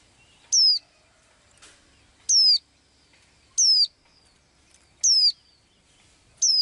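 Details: A small blue-eyed bird that sings every day gives short, sharp, high whistled notes sliding downward, each note alike, repeated about every 1.4 seconds over a quiet background.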